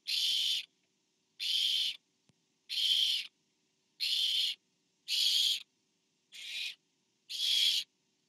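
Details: Barn owl at a nest camera on 24 September 2015 as a parent delivers food to an owlet. Seven harsh, hissing screeches, each about half a second long, come roughly every 1.2 seconds, with one slightly shorter and weaker burst near the end.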